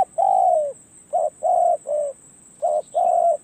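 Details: Spotted dove used for decoying, on a perch, calling loud hollow coos: a long level note, then clipped short-long pairs, evenly spaced, with a faint high steady whine in the background.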